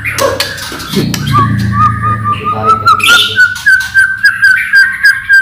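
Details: White-rumped shama singing loudly and energetically, used to lure other shamas into song: a fast run of clear whistled notes, about three or four per second, gently rising in pitch, with a low hum underneath.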